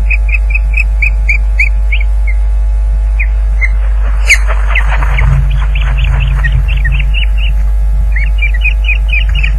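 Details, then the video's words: Osprey calling at its Loch Garten nest amid a fish delivery, 30 April 2010, 12:39pm, via live nest camera: piping whistled chirps, then a burst of rustling and scuffling noise, then the chirping series resumes; steady low hum throughout. "Loch Garten Ospreys 2010 - Fish delivery 30/4/10 12.39pm"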